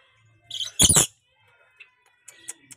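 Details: One loud, rasping double screech from a tame, chatty pet rainbow lorikeet, followed by faint soft ticks.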